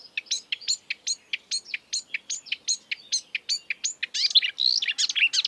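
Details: Marsh warbler in the wild delivering a steady stream of sharp, high, repeated notes about three per second, shifting near the end into a dense, buzzy, jumbled chatter.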